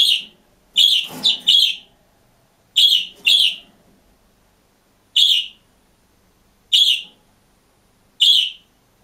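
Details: Caged budgerigar on its own, chirping: short, sharp, high notes with a buzzy edge, given in a quick triple, then a pair, then single notes spaced one to two seconds apart against a quiet background.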